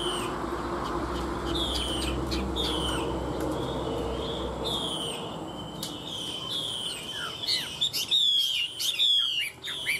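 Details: Caged Chinese hwamei, one of two tamed for three years, sings in fighting style: high clear whistles sliding downward, repeated roughly once a second, ending in quicker sharp notes against a constant low hum.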